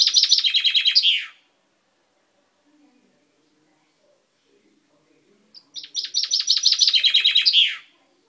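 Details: Pet finch singing on 10 May 2012, its beak newly purple; two bright rattling strophes of rapid repeated notes that step downward and end in a flourish, separated by about four seconds of quiet indoor background.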